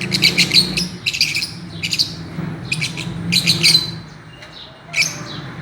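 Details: Fischer's lovebirds playing on a swing, giving quick bursts of sharp, high chirps in clusters roughly every second, some notes doubled, with a low steady hum underneath.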